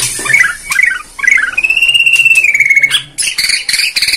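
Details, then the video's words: Bornean white-rumped shama, a lure song played to provoke other birds into singing, showing its varied repertoire: scratchy chattering notes, then a long steady high whistle, followed by bright repeated chips. "PANCINGAN MURAI BORNEO BONGKAR ISIAN"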